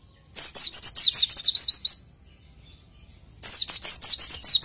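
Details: Two bursts of oriental white-eye song, used to tutor songbirds, separated by a pause of over a second. Each burst is a quick run of shrill, sliding, downward-flicking whistles.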